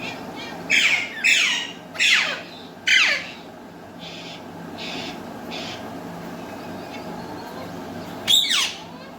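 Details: Pet Alexandrine and Indian ringneck parrots, kept as talking birds that speak Urdu and Hindi, giving harsh, broadband squawky bursts: four rapid loud calls within the first three seconds, a quieter stretch of softer sounds, then one more sharp burst near the end.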